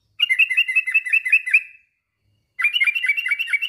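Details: Sooty-headed bulbul, a male calling a rival, gives two lively bursts of rapid warbled chatter. The notes are slightly buzzy and run close together, with a clear pause between the bursts.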